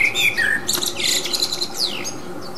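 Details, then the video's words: Wild common blackbird singing, recorded with a 40x zoom: two low mellow whistled phrases open, followed by a scratchy high jumble and a sweeping high squeak, against a constant hiss. ""Blackbird's song"."Le chant du merle""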